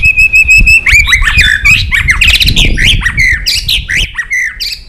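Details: Rival-provoking competitive song of a white-rumped shama: a rapid series of repeated level whistles, then a dense burst of jumbled, squawking and chirping notes, with low background rumble.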